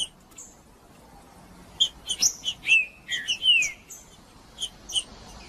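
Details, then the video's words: Green-winged saltator in macheando song, played to excite another saltator into singing. Short, clear whistled notes and a few slurred downward phrases come after a quiet start, over a soft, steady background hiss. "Trinca-ferro Macheando com Trinca ferro cantando Para Esquentar Trinca ferro"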